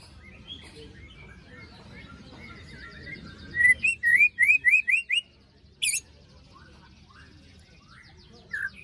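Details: White-rumped shama after its moult, a lure recording for birds that have gone quiet, with sharp 'besetan' notes: soft background twittering, then six loud rising whistled notes in quick succession and a single sharp high sweep.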